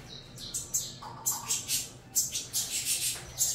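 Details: Nestling saffron finches, a Venezuelan cross, begging at feeding time with spaced, thin, hissing squeaks in short runs and one brief lower chirping phrase.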